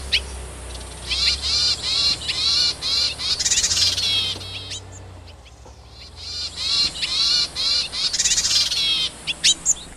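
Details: Wild yuhina searching for food to bring to its young pours out two long runs of rapid, high, arching chirps. A short quiet gap separates them, and a steady faint hum sits underneath.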